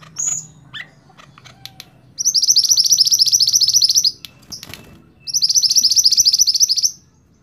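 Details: Training song from a kept scarlet-backed flowerpecker: a high squeaky call, then two long, fast, glittering trills of nearly two seconds each, with faint clicks between.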